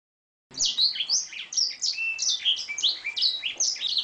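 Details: Oriental magpie-robin singing canary-style fill phrases in a bird-training recording: after a brief silence, a continuous rapid stream of sharp chirps, slurred whistles and trills, high and varied, without pause.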